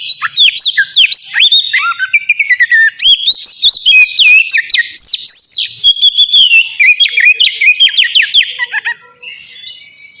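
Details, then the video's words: Loud ngeplong-style oriental magpie-robin song, recorded as a lure for captive birds: a continuous fast stream of high whistles, slurred sweeps and chattering trills, densely packed for about nine seconds before fading into quieter scattered notes. "suara burung kacer ngeplong gacor"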